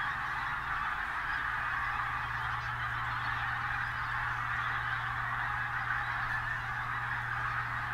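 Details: Mobile flocks of pink-footed geese at Martin Mere WWT Reserve, Lancashire, on bright 8 October 2012; an even, continuous roar of countless overlapping honks, with a steady low drone underneath.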